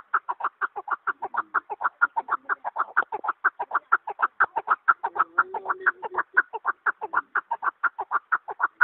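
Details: Chukar partridge delivering a long, regular series of clucking chuk notes at a quick, even pace of roughly two per second, with a faint low murmur midway.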